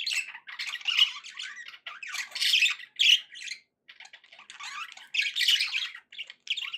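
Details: Pet budgerigars in a cheerful mood give grating squawks and rapid chirpy warbles in uneven bursts, with a short silent spell midway.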